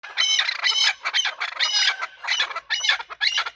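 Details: Chukar partridges, kept as hunter birds, calling while fighting: loud, harsh, stacked squealing bursts in irregular clusters of about two per second, with short gaps between the outbursts.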